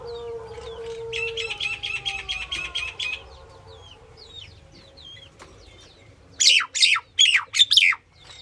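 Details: Indian myna, a female, calling: a rapid chattering trill with a steady tonal edge lasting about two seconds, scattered whistled slurs, then four loud harsh rasping notes near the end.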